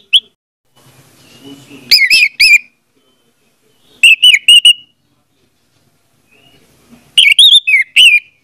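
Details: Orange-headed thrush song played as a lure for a silent bird: three short clusters of clear whistled, slurred notes, each about half a second long, spaced a few seconds apart in otherwise near silence.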